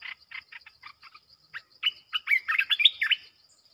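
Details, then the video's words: Caged red-eyed bulbul answering wild birds, in a song-competition style: a run of short chirps and notes, then a louder burst of quick rising and falling warbled phrases that fades out. "เสียงต่อนกกรงตาแดง จ้าวหยก ร้อง&ใส่นกป่า"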